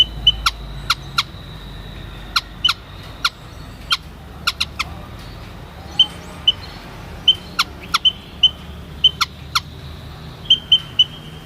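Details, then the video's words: Repeated short high-pitched peeps from a white-headed munia, in loose bursts over the whole stretch, accompanied by many sharp clicks. "MAYA / WHITE HEADED MUNIA SOUND EFFECT"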